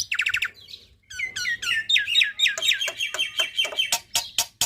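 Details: Black-winged myna singing a tembakan-rich tutor song for young mynas: quick stuttered notes open into a long flowing run of sweet slurred whistles, ending in sharp clicking strokes.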